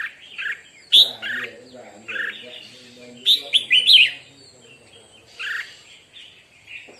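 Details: Red-whiskered bulbul at morning song practice, giving scattered bright chirped and whistled notes with a short rapid burst midway, over steady background human talking.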